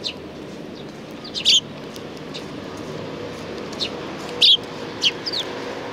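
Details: At a Tenmangu shrine on 2 April 2019, sparrows gather at food, giving a few sparse, high, clipped chirps several seconds apart over a steady outdoor rumble.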